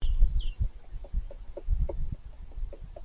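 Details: A male European green woodpecker (Picus viridis) excavates his nest deep inside the trunk of an old apple tree: muffled, dull knocks about three times a second, with a short high chirp from another bird at the start.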